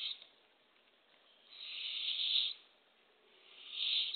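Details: Barred owl at a backyard nest-box cam, early morning on April 27, 2024, as the female delivers a baby opossum to hungry owlets: two long, raspy, hissing screeches, each swelling and fading over about a second, with faint background hiss.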